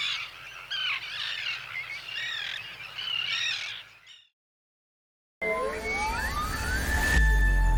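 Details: Common Tern breeding colony: adults and young give a dense chorus of harsh, overlapping, down-slurred contact, social, territorial and alarm calls for about four seconds; after a pause come sweeping, rising electronic tones.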